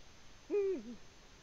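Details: One short, clear hoot from a Eurasian eagle-owl in the nest, Latvia, 14 February 2020, swelling up, staying steady, then dropping away in a soft downward tail.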